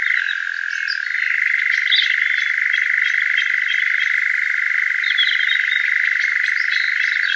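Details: In summer, a Eurasian Nightjar sitting in a large oak gives a continuous, rapid mechanical churr that steps up in pitch, then cuts off abruptly as a person approaches; faint calls of other birds behind.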